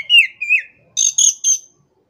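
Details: Kacer, the Oriental magpie-robin, used to tutor non-singing birds: two loud wavering whistled notes, a short pause, then three harsh, very high buzzy bursts in quick succession.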